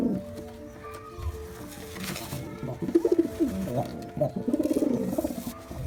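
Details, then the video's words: Male and female pigeons cooing, used to attract pigeons: low, throaty pulsing coos that build in the second half, over a steady tonal background hum. "Best 4 Pigeon Sound Effect || Male & Female Pigeon Combo Attract Sound"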